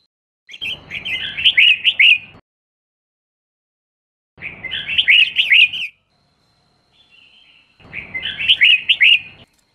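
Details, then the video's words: Female red-whiskered bulbul voice, used to stimulate males to sing: three bursts of bright, chirpy, warbled whistles, each about two seconds long, separated by pauses, with a faint thin note before the last burst. "Chào Mào Mái Kích Trống Không Quýt Qiu \Kích Là Hót\Kích Chim Nhà Bạn Luôn Căng Lửa , Chào Mào"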